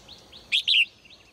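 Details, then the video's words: Caged female bird in the morning giving one loud, high double chirp, a short burst then a longer note, amid faint, softer tweets from nearby birds. "นกตัวเมียร้องเจื้อยแจ้วในยามเช้า , เสียงนกร้องในกรง"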